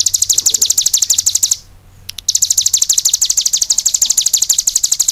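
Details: Cigun songbird in full energetic song, giving long runs of rapid, high, sharp chipping notes with a brief silent break partway through.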